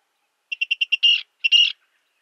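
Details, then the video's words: A Virginia rail gives five quick, evenly spaced, fairly high clicking notes, then two longer, harsher, buzzy notes, with no other sounds. "Virginia Rail Sound Clips"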